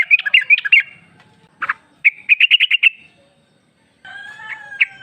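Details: Female sooty-headed bulbul calling to a male, used as a lure: a quick run of bubbly chirps, one lower harsh note, another fast evenly paced run, then faint thin whistled tones.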